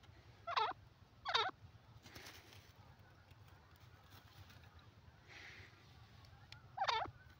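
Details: Grey francolin calling: three loud, harsh, ringing notes, a quick pair near the start, then a pause of about five seconds before a third, over faint low rumbling background noise.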